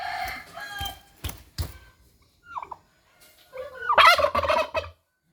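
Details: Domestic turkey kept alone, aggressive and seeking a mate, makes short calls and knocks, then a long loud rattling gobble near the end.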